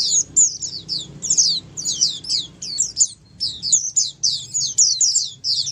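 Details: Flock of Oriental white-eyes singing to stir a quiet white-eye into calling; crisp high downward-slurred chips in choppy clusters with short silences, light low hum behind.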